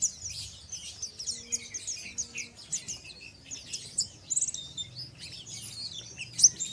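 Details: Untrained pleci, an oriental white-eye, ngeriwik twittering: busy, very high chirps and slurred squeaks run together, with a short buzzy trill midway, over a faint low hum.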